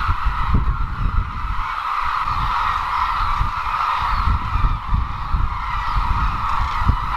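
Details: Massed crane calls from the Izumi arrival grounds, Kagoshima, Japan; countless overlapping voices form a continuous mid-pitched roar, with occasional sharp knocks and steady low background rumble.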